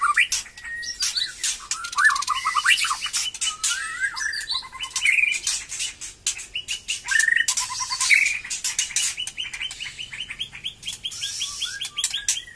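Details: White-rumped shama singing again after moulting: continuous lively medley of short whistled notes, rapid repeated trills and looping slurs, with dense harsh clicks and buzzy bursts throughout.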